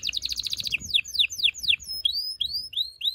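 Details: Male canary singing to excite females for breeding, a fast high trill followed by sweeping descending notes, then rising whistled slurs repeated about four times a second.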